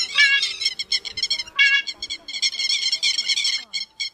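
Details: Grey-headed lapwing lure recording for night net-trapping of migrating birds in August 2024, giving shrill, harsh calls in quick bursts of repeated notes, nearly continuous over four seconds, over a faint steady hum.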